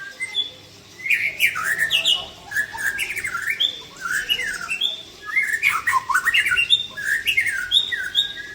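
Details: Singing white-rumped shama, Aceh variety with 'klewer' tail, rich 'isian' content: repeated bursts of swooping whistles and harsh chirps, each group about a second long, separated by short gaps.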